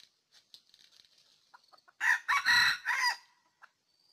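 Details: Early-season decoy red junglefowl used for trapping in Ninh Thuận, Vietnam, 2019, gives a single raspy crow of four rough segments lasting just over a second, preceded and followed by faint ticks and a thin high insect hiss.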